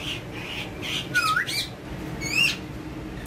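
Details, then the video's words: Pet rose-ringed parakeet playing with a mobile phone and talking in Urdu and Hindi indoors; a few short squawks with sharp rising-falling whistled notes, steady room hum beneath. "Gorgeous Ringneck Having Fun And Talking With Mobile In Urdu Hindi"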